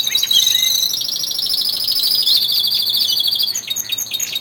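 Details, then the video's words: Twelve male canaries in a home aviary singing harder in early February, weeks before spring; a thick overlapping wash of very fast buzzy high trills running continuously from several birds at once. "canary song II"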